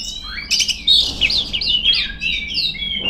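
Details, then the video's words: Female Oriental magpie-robin singing loudly at rivals, a fast rippling string of rising and falling whistled notes with a few sharp chips. "suara burung kacer gacor ngeplong memanggil lawan"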